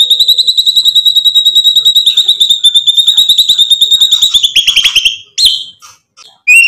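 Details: White-rumped shama song used as a lure to rile other birds: a long, rapid, even rattle of high piercing notes held at one pitch for several seconds, breaking into scattered sharp chips.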